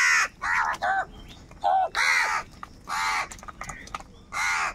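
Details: Several harsh crow caws in close series, some short and clipped, others longer and drawn out, from crows described as angry and fighting for food.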